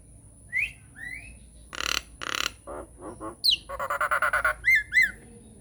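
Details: Nias hill myna singing a lure song to make silent mynas respond: two slurred whistles, two loud harsh squawks, a few lower grating notes, then a fast chattering run of about ten notes closing in short whistles.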